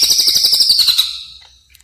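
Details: Greater green leafbird in a lure recording for tutoring caged birds gives a harsh, rapid, buzzy chatter of pulsed notes that fades out after about a second, followed by a faint high chip.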